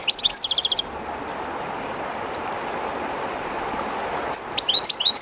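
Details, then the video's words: Captive goldfinch singing beside the Jerte river current, a little timid; a fast burst of repeated high tinkling notes, a pause filled with running-water hiss, then another quick twittering phrase. "JILGUERO CANTANDO EN EL RÍO/Goldfinch singing in the river/Chardonneret chantant dans la rivère"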